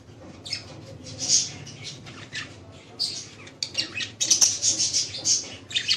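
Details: Budgerigars kept as pets in Lahore, Pakistan: busy, high, scratchy chirping in quick clusters, with soft fluttering and a low background hum.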